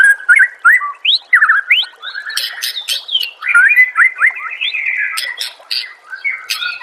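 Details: White-rumped shama master song meant to make other shamas answer and sing: a rich, fast stream of varied whistles, upward slurs and chattering notes running almost without pause.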